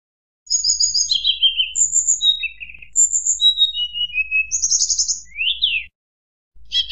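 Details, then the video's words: Tledekan gunung giving a fluted whistling song said to provoke rival birds: high clear whistles and short trills, each note sliding downward, delivered in a fast varied run, then a pause and a fresh burst. "tledekan gunung nyuling bikin lawan emosi"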